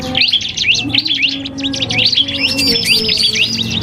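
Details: Iora of the type called cipoh kristal matched against a prinia as a training track for songbirds. Quick, sharp chirps and upslurred whistles pour out continuously, with a faint low drone underneath.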